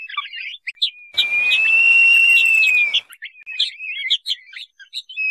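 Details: Crested partridge lure call: quick high chirps broken by a long, sustained, slightly rising whistle over a hissy background, then more twittering notes.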